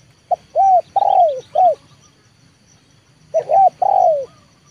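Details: Trained 'leopard' spotted dove used as a lure for wild birds. Two phrases a few seconds apart. The first has four notes: a short tap, a wavering coo, a long descending coo and a brief final coo. The second is shorter.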